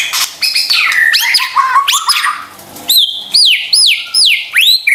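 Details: White-rumped shama song played to stir quiet birds into singing: a burst of scratchy, mixed notes, then a run of ringing whistles, each rising sharply then sliding down, repeated about twice a second.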